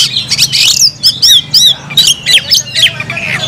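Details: Caged oriental magpie-robin singing energetically: loud, varied whistled phrases with sharp upslurred and downslurred notes and harsh chattering bursts, delivered in quick succession.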